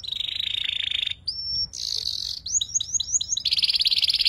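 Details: Young canary practising the chattering ngeriwik song, used to tutor shama and magpie-robin fighters: a buzzy rattling trill, a clear level whistle, a rasp, five quick upswept notes, then another fast trill.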